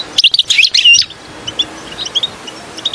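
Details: Goldfinch (European) song for luring birds to a trap: about one second of jumbled bright twittering, followed by soft, sparse high chirps.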